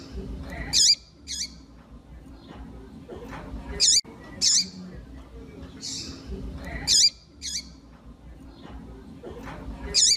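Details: Female double-collared seedeater (piadeira) calling to warm up a male seedeater: shrill squeaky notes, usually in pairs, repeat about every three seconds over a constant low hum.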